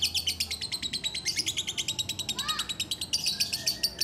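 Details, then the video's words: Lovebird chattering while being held, a fast run of sharp, high clicking notes, evenly spaced, with one short rising whistle partway through. "NGUDANG LOVEBIRD SAMBIL DI GENDONG"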